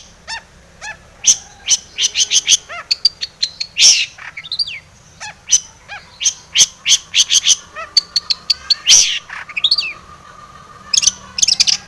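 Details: Long-tailed shrike (cendet) in lively, full song used as a lure to make other shrikes sing: a fast jumble of high chirps, sharp clicks, slurred whistles and short trills, bursts coming in quick clusters with brief pauses.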